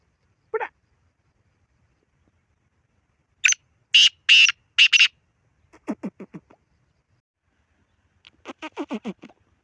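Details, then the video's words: Harsh Black francolin phrase: a lone low note, then four loud rasping notes in quick sequence, a stuttered falling series, and a second longer run of quick descending notes near the end. "کالا تیتر کی مکس آوازیں"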